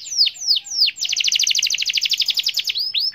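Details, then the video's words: Canary song used to get silent canaries singing, opening with three loud falling whistles, then a fast even trill of rapid notes, ending on another swooping whistle. "Putar sebentar saja dijamin Kenari macet ikut gacor"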